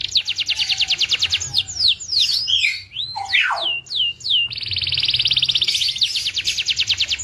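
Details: Melodious singing of a local Indonesian canary: quick repeated trill notes, then a run of looping, swooping whistles and downward slurs, ending in a long rapid trill.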